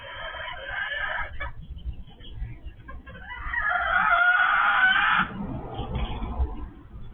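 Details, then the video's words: Laying hens kept by a first-time keeper, noisy since they began laying eggs: loud, harsh clucking and squawking calls, building to a sustained raucous outburst midway, then tapering into lower clucks over a rumbling background. "They say roosters are loud, so are hens"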